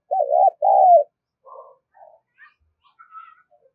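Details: Spotted dove call used to excite a decoy bird: two strong, wavering low coos in quick succession, followed by softer scattered notes and faint higher chirps.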